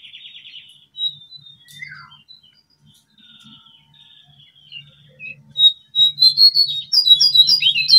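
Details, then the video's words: Wild Horsfield's babblers at a regular hangout, in the afternoon, drawn in by lure playback, give sharp high chirps and short whistles, scattered at first, then building into fast, busy chatter, with a faint low hum behind. "Burung Jongkangan /Cingcoang coklat Di alam Liar"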